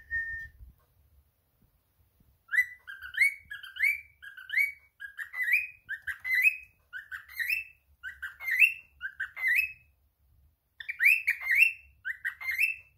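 A cockatiel gives bright, rising whistled chirps in quick bursts, with brief pauses between runs.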